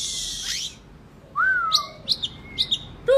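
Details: Oriental magpie-robin, a kacer, in a therapy track for quiet birds; a harsh rasp, then a clear descending whistle followed by short high chirped notes repeated about every half second.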